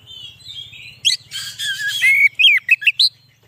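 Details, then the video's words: Oriental magpie-robin song for luring wild birds: soft thin whistles, then a burst of harsh scratchy chatter followed by four loud, sharply rising and falling whistled notes, with a faint low hum. "suara burung kacer cocok buat pikat burung kacer di huta liat dan cocok buat menaikan emosi kacer"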